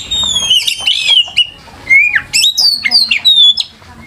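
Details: Oriental magpie-robin singing loudly on a training lure for young birds. Long clear whistled notes slide downward, then sharp rising and falling slurs and trills follow in quick succession.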